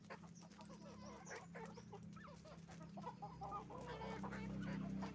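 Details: Chicken farm with roosters and hens calling together, a dense run of rapid overlapping clucks and cackles over a constant low droning hum from farm machinery.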